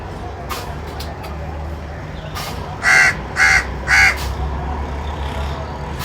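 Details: Three hoarse crow caws come in quick succession around the middle, set against steady traffic rumble and a few sharp clicks and knocks earlier on.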